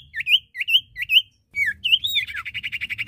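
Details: Lively common iora song from a male and female: paired rising whistled phrases repeated four times, a brief gap, then further whistles running into a rapid buzzy trill.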